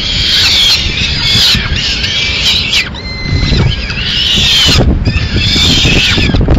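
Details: Peregrine falcon in Madrid, 30 April 2016, while the female delivers pigeon remains; repeated screechy wails, about one a second, with a brief thin whistle and steady low traffic noise.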